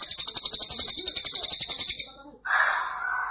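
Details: Crested jay (Platylophus galericulatus), a loud, sharp-voiced songbird, gives a fast, high metallic rattle of about eleven ringing pulses a second for two seconds, then a brief burst of harsh, hissy noise.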